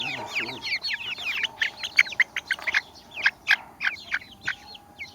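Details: Baby chickens chirping: a dense chorus of high, thin, downward-arching peeps overlapping rapidly from several chicks, with loud peaks of sharper cheeps.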